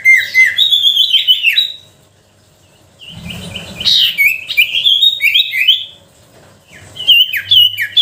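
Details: Lure song of a sooty-headed bulbul, meant to provoke quiet bulbuls into singing: bursts of quick, bubbly whistled notes with rising and falling slurs, broken by a short gap with a soft low rumble, then resuming in lively chattering phrases.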